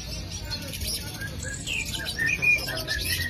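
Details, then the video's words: A green leafbird gives quick, bright chirps and short clear whistles, loudest near the middle, over a steady hiss of background noise; used to provoke other leafbirds into singing. "PANCINGAN CUCAK IJO"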